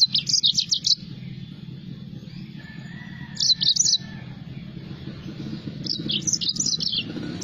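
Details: Yellow-fronted canary (Crithagra mozambica), also called the green singing finch, singing three quick bursts of high, bright twittering warble, each about a second long, over a steady low rumble like distant traffic.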